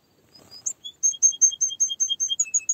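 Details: Singing canary: a soft start, then a rapid series of bright, high, evenly spaced chirps alternating between two pitches, ending on lower notes.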